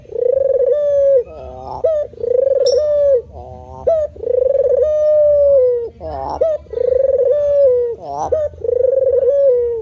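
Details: Male spotted dove cooing in the manggung style, steadily and persistently: long, smooth, mellow coos with a rolling start, each followed by a short buzzy stacked note, repeating about every two seconds. Faint background hum.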